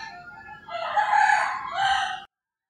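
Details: Single rooster crowing in early-morning rural Philippines: a rough, rising, drawn-out crow of about one and a half seconds, ending abruptly.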